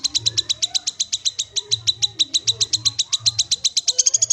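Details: Untrained Black-capped babbler calling straight away: a fast, steady run of sharp, high, clipped chirps, about four per second, each note bright and ringing. The series stays even throughout, with a faint low hum underneath.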